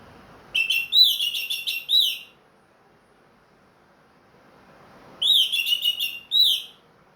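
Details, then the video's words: Orange-headed thrush kept as a hobby bird, leg-ringed and freshly through its moult, delivers two lively phrases of clear, warbled whistles with buzzy edges, separated by about three seconds of silence. "MERANGSANG ANIS MERAH BUNYI PLONG"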